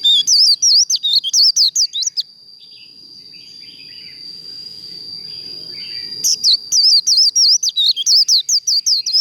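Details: Líu contest singing of a Japanese white-eye for kích lửa training, with quick high wavering twitters at the start, a pause of about four seconds under a steady whine, then another rapid twittering burst.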